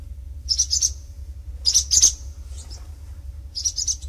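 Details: Barn swallows, parents guarding young from nest to flight; high, thin chirping bursts in short clusters of two or three notes, repeated at roughly one-second gaps, over a low steady hum.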